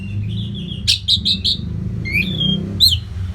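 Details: Orange-headed thrush (Geokichla citrina), recorded in Bali as a training song to tutor captive songbirds, gives a rich, varied song of clear whistles, slurred notes and quick trills in steady high phrases, over a low hum of traffic.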